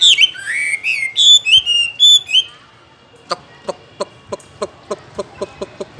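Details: Caged Chinese hwamei giving about two seconds of loud, slurred whistled phrases, then silence broken only by a regular series of soft, sharp clicks.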